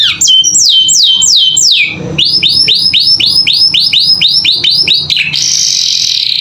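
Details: Vigorous canary song recorded as master audio for teaching young caged birds: a few downward-slurred whistles, a run of about fourteen quick arched rising-falling notes, and a closing rasping buzz.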